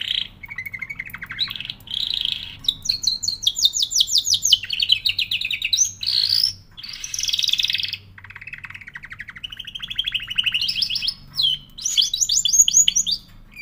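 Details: Canary singing a long, continuous song made of rapid trilled phrases that switch every second or two between lower rolling trills and higher, faster chattering tours, with brief gaps between runs.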